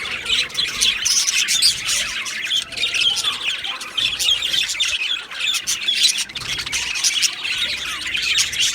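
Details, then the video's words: Budgie aviary colony recorded 15 July 2025: loud scratchy squawks mixed into fast high chirping from many birds, swelling and easing in waves. "Beautiful Budgies Birds Chirping Sounds"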